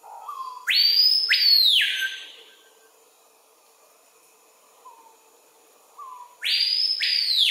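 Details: In Amazon rainforest at Kourou, French Guiana, an adult male screaming piha sings at midday on a lek, recorded on a Panasonic FZ300: quiet low introductory whistles lead into two explosive, piercing upswept screams, a pause, then a new phrase starting.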